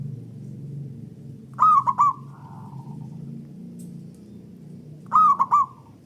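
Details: Local zebra dove used as a singing lure for other doves, several birds answering one another: two loud, rolling, three-note cooing phrases about three and a half seconds apart, with a faint trailing coo and low hum.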